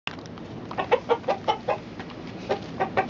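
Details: Domestic chicken clucking: a series of short, low clucks about every fifth of a second, then a pause and a few more clucks.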